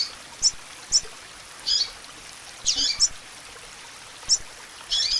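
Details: Calling female double-collared seedeater meant to excite a male: thin, high chips spaced about half a second apart, mixed with a few rougher, buzzier notes, over a constant background hiss.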